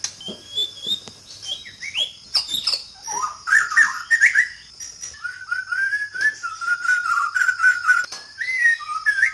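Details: White-rumped shama in Sabah, Borneo, singing long fluid whistled phrases that rise, fall and warble, mixed with quick chirps, over a continuous high-pitched insect background.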